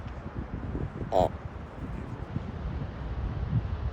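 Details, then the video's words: Common ravens give soft, short, hoarse, low throaty gronks over steady wind and rumbling surf at Ocean Beach, San Francisco. "Ravens soft gronks"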